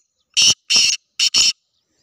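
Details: Sindhi black francolin calling: four loud, harsh, grating notes, the second one longer and the last two close together, over a silent background.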